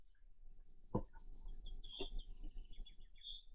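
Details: Firecrest song: a sustained, very high, sibilant trill of rapidly repeated notes, gently rising over about two and a half seconds, with two brief clicks in the background and a soft lower note at the end.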